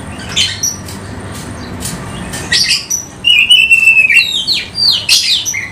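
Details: Oriental magpie-robin kept for luring other birds: after quiet with scattered faint chirps, a long level whistle is followed by quick sharp notes and chatter.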